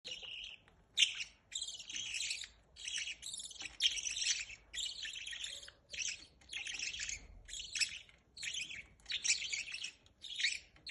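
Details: Budgerigar parents feeding their chicks, with high, harsh, buzzy chirring bursts in rapid pulses of about half a second to a second, repeated almost continuously across the recording.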